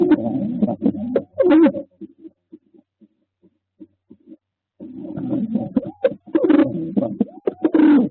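A male homing pigeon gives low, throaty rolling coos in two bursts separated by a quiet gap with faint soft clicks, sounding like a small indoor space.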